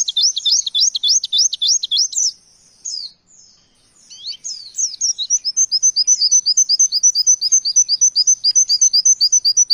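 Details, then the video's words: Oriental white-eye singing a varied, rapid "nembak" song of very high, thin chirps and slurred notes, about four a second, with a brief pause midway before a steady run of repeated twitters. "Pleci Nembak Materi Variasi"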